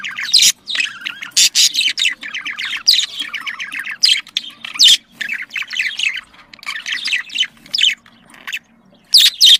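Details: Domestic budgerigars, chatter played to stimulate mating: long stretch of quick chirps, scratchy trills and squawks in uneven bursts, with short quiet gaps and a low background hum.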